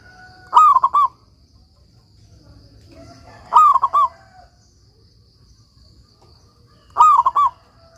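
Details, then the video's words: Local zebra dove singing steadily as master song for doves that have gone quiet: three phrases at regular three-second spacing, each a rising-falling coo then three fast staccato coos, soft hum underneath. "suara perkutut lokal gacor"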